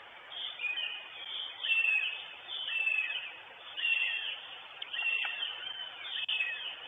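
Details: Northern goshawk female at its nest in Estonia, 23 June 2022, picked up by a live nest camera; harsh, drawn-out high calls repeat about once a second in swelling bursts over a steady background hiss.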